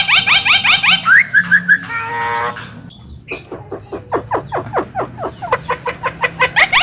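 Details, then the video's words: Master recording of a Javan myna singing vigorously for training other birds: fast upswept ringing notes, a brief nasal rattle, then a steady run of dry downward-swept chipping notes. "SUARA BURUNG JALAK KEBO PALING GACOR"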